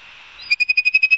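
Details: Ospreys at Barnegat Light, New Jersey, on a live nest camera, 5 September 2022 at 11:06, fast-forward speed: faint hiss, then eight or nine crisp, evenly spaced whistled chirps.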